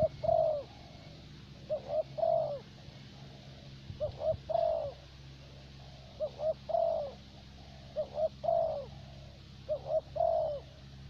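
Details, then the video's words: Spotted dove decoy for luring, Vietnam, thổ bầu type, cooing steadily: six regular phrases, each a pair of clipped hoots ending in a longer falling coo, about every 1.7 seconds over a faint low hum. "Terkurkur លេងបានល្អបំផុតនៅវៀតណាម។ (Lý do tại sao thổ bầu lại là con mồi được ưu tiên chọn )"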